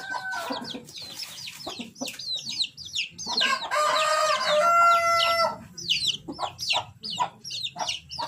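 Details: A white rooster in a yard gives one drawn-out, hoarse crow of about two seconds, set against constant high peeping from chicks and some low clucking.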